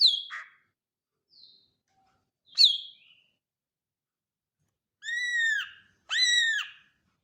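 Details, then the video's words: Greater green leafbird vocalising: sharp scattered chips and a clipped whistle, then two drawn-out, nasal, arched notes rich in overtones, separated by silence. "Kicau Cucak ijo"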